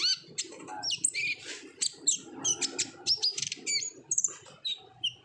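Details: Lure song of an olive-backed sunbird singing hard in 'ngobra' fashion to prompt untrained birds to sing: piercing high chips, short upslurred whistles and twittered bursts in quick succession over faint background murmur.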